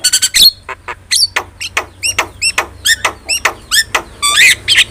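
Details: Training song of a Javan myna: a steady series of short curved whistled notes repeated roughly every third of a second, opening with a cluster of high chips and ending in a rough squawky burst.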